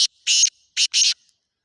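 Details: Black francolin calling in Khushab: loud, harsh, grating notes in two pairs, a short burst then a longer one, each pair spaced by a brief gap, clean background with no other sounds.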